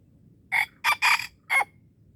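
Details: Wild red junglefowl crowing in Darul Kamal, Aceh, where the bird is being lured: a short four-part crow of harsh, loud bursts, with the two middle notes run close together, over a quiet low background hum.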